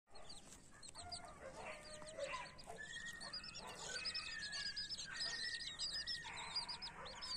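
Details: Mother hen with her baby chicks: dense, rapid high-pitched peeping from many chicks, about 98 peeps a minute and irregular, over lower soft clucks from the hen. A faint low background hum runs throughout.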